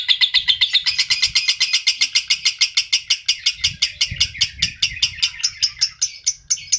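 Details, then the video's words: Adult lovebird chattering in a fast, steady run of shrill, scratchy chirps, several each second, with a faint low rumble behind; a lure recording meant to provoke other adult lovebirds. "PERANGSANG PANCINGAN LOVEBIRD DEWASA"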